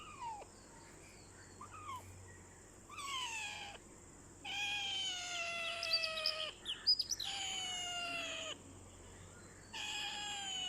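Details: Ringneck parakeet talking, giving longer drawn-out harmonic phrases that dip and level off, several in a row with short pauses, some overlapping with faint higher chirps, against a constant high-pitched background hum.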